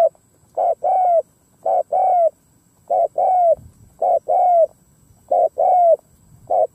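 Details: Decoy spotted dove cooing to lure wild doves: loud, low hollow coos in repeated phrases of a short note followed by a longer drawn-out, slightly falling coo, about every second, over a quiet background.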